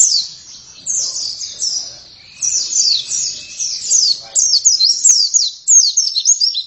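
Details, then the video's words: Oriental white-eye (pleci) singing quiet, high twitters that grow into loud, rapid slurred chirping phrases, with a faint steady tone and low background noise. "Pleci langsung gacor dalam 1 menit"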